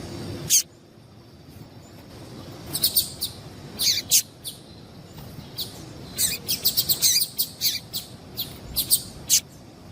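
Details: Yellow-bellied seedeater female calling to stir up males: bright, high, clipped chirps, first a lone note, then dense bursts of rapid tweets spaced unevenly through the recording, with faint low rumble beneath.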